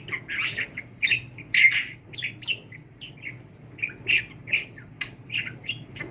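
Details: Budgerigar kept as a pet, given talk training, babbling continuously in quick scratchy phrases with sharp clicks and squeaky notes, repeated every half second or so.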